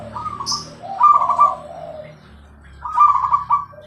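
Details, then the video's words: Zebra dove singing vigorously with a clear voice: phrases of rapid, rolling trilled coos, each about half a second, repeated with short pauses between. A brief high chirp sounds early on. "perkutut gacor suara jernih"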